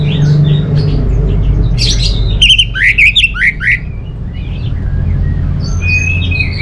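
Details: Orange-headed thrush gives a brief run of loud, sharp chirping notes mid-clip, framed by softer twittering. A strong low rumble of background noise is heard throughout.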